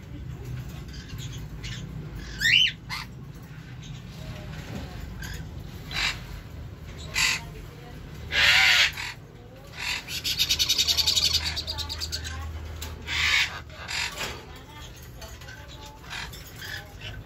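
A young sun conure gives harsh, raspy squawks in scattered bursts, with a longer grating call midway.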